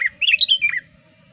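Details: Sooty-headed bulbul lure bird: a single rapid, rolling phrase of swooping, gurgled notes rising then falling, lasting under a second, in a quiet setting.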